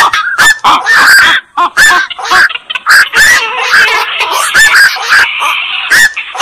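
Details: Dense chorus of hoarse, squawking croaks from black-crowned night herons, notes crowding together and blurring into a continuous rough chatter toward the end.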